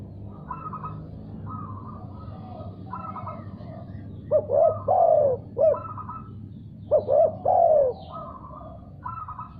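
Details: Spotted dove calling in reply after hearing another call. Repeated higher, stuttering nasal notes come first. Then two cooing phrases follow, each of quick short coos ending in a long descending coo, over steady low hum.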